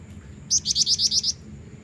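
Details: A female black-winged flycatcher-shrike calls persistently to draw in a male, giving a rapid run of seven thin, high chirps evenly spaced, with faint low rumble behind.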